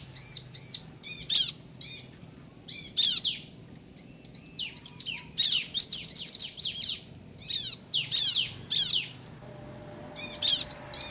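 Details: Bar-winged prinia male and female answering each other in clear, high arched chirps delivered in bursts separated by quiet gaps, with a dense rapid run in the middle.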